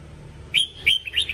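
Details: Training song of a red-whiskered bulbul, a brisk series of clear, warbled whistles, four bright notes in quick succession, slightly rising and falling, above a low background hum.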